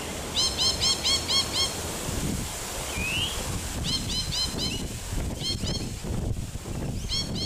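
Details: Rainbow lorikeets (Trichoglossus moluccanus) at Wattle Park, Melbourne, Victoria, Australia, on 11 August 2021, give quick runs of shrill, harsh screeching notes, four to six at a time, in several bursts over a low background rumble.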